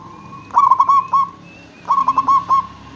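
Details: Local zebra dove calling as a lure to make other zebra doves call back; two clear rolling coo phrases, each a short trill of pulsed notes on a steady mid pitch, about a second apart.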